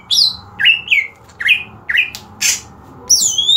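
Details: Greater green leafbird (Chloropsis sonnerati) singing loud, ringing whistles, about eight sharp slurred notes mostly falling in pitch, with one harsh raspy burst among them.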